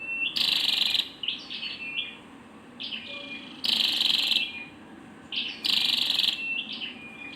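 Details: Female Scarlet-backed flowerpecker calling: three loud rasping, buzzy bursts, each under a second, separated by clusters of quick high chirps and a faint thin whistle-like tone.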